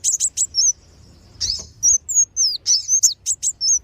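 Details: High sunbird chirps from a lure recording of kolibri wulung and sogon, meant to make wild birds come down: a few sharp notes, a short gap, then thin whistled downslurs and buzzy chips.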